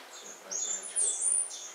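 A warbler gives a few thin, very high chirps and short sliding seeps, about four notes in under two seconds, over a faint hiss.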